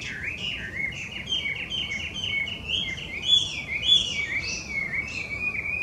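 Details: Chinese hwamei, a noisy invasive bird introduced to Japan, sings a long varied ramble of wavering whistled notes, some higher sharp accents mixed in, over a steady background hiss.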